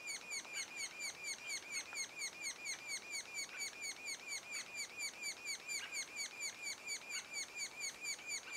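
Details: Constant, evenly spaced high notes from sapsucker young in the nest two days before fledging, each note downslurred and rich in overtones, repeated roughly twice a second, with soft hiss behind.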